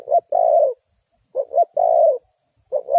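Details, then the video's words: Spotted dove kept to attract wild doves for trapping, calling a low mellow coo-coo-croooo. The final long note is held, and the phrase is repeated after short pauses. "Suara Tekukur Pikat"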